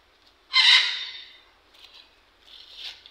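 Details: Two pet green parakeets being fed: one loud, harsh screech lasting about half a second, followed by two softer, raspy calls.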